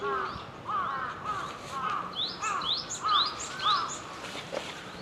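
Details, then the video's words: Wild Java sparrow singing, a busy run of short chirped notes: curved mid-pitched slurs alternating with sharper high chips, delivered about twice a second over a low steady background hiss. "Kicau Glatik Jepang Liar"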